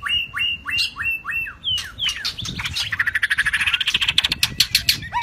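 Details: Shrimp-tailed white-rumped shama in 'rít thuốc lào' song: a series of short whistles, each followed by a downward flick, then a fast, rattling train of pulsed notes roughly ten per second to the end.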